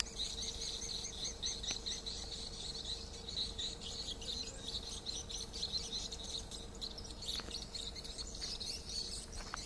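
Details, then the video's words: Swiftlets giving a distress call, a shrill, crowded stream of fast twittering notes that rises and falls in intensity, over a quiet constant background tone. "Swiftlet duress Call"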